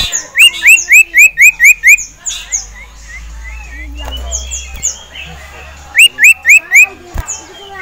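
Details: A male ashy tailorbird in a cage, agitated at a rival and a female, gives a series of seven sharp rising notes about a quarter second apart, a quieter pause with soft chirps, then four more.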